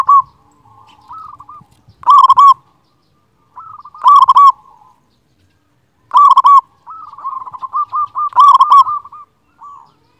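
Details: Local zebra dove with a big voice, singing persistently, used as a master recording to prompt quiet or lazy doves to sing: four loud bursts of rapid staccato cooing about every two seconds, with softer rolling coos between them in a quiet background.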